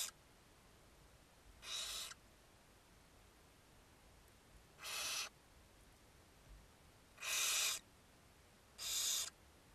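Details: Barn owls at a webcam nest during feeding time: four rasping, noisy hisses of about half a second each, irregularly spaced one to three seconds apart, with faint low rumbles between.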